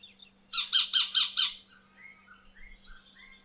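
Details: A nesting Sacred Kingfisher during incubation gives a rapid run of five harsh, rasping squawks in about one second, loud calls to draw out the sitting parent for a changeover, followed by softer whistled notes from other birds.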